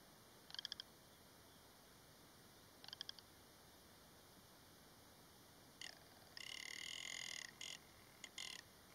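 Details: Rock ptarmigan song of sparse short clicking rattles early on, then, after a long pause, a loud, rasping, drawn-out croak lasting about a second, followed by brief grating bursts.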